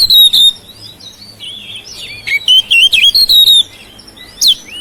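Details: Home-kept oriental magpie-robin singing to prompt silent birds: a loud whistled note, soft twittering, then a quick series of bright, clipped whistles and a final sharp call.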